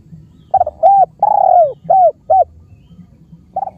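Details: A spotted dove from Cambodia delivers its cooing sequence: a stuttered start, a full coo, a long downward-sliding coo, two brief coos, then the phrase begins again near the end over low background rumble.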